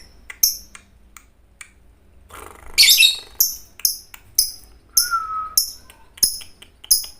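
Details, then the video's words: Fighter-type lovebird singing energetically, a recording used as a master to train other lovebirds: sharp, shrill chirps repeated about twice a second, with a brief harsh burst and one short lower whistle midway. "MASTERAN LOVEBIRD FIGHTER GACOR"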